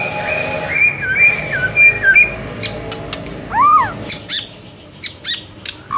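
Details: White-rumped shama song for training birds into fighting-style singing: steady flat whistles with little steps, then a clear arched whistle rising and falling, and several sharp clicks and chips.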